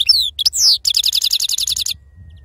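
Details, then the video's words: European goldfinch singing in a pure wild-style song called khalwi, Sarfati type: bright high twittering notes and quick sweeping slides, then a rapid run of repeated buzzy notes for about a second, stopping abruptly over a faint low hum. "أفضل تغريد بندوق حسون خلوي أصيل الله يبارك لصحابو ما شاء الله لغه خلوي أصيل سرفاتي"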